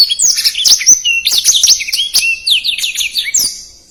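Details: Blackthroat, a small songbird kept as a caged pet and used as a tutor song for contest birds, singing a fast, dense, continuous warble of sharp high whistles, rapid trills and down-slurred notes with no pauses, clean and free of other sounds.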